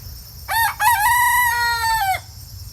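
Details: Silkie rooster crowing in the morning: two short clipped notes, then a long steady harmonic note held for over a second that drops slightly at the end, one full crow against a quiet background.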